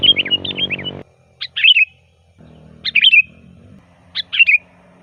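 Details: Sooty-headed bulbul song used as a lure: a quick run of chirps, then separate sharp warbled phrases roughly every one and a half seconds, with a low hum in places.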